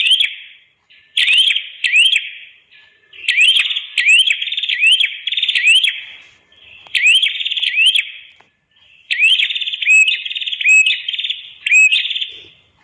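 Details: Red-headed prenjak (prinia) song from a master recording meant to train other birds. Loud buzzy phrases with repeated upward-swept whistled notes, delivered in bursts of several seconds with brief pauses between.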